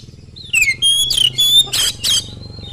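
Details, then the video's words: Oriental magpie-robin singing fast, used to lure other magpie-robins into singing: a falling whistle, then harsh rasping bursts alternating with clear, steady high whistled notes carrying faint harmonics. "kacer gacor sangat cepat memancing kacer nyaut ikut gacor dengan suara tembus"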